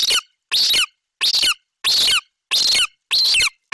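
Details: Loud screaming from a young golden eagle in Bucovina, 28 July 2021, as its mother lands with magpie prey. Piercing, grating, slightly falling shrieks come almost twice a second, separated by brief silences.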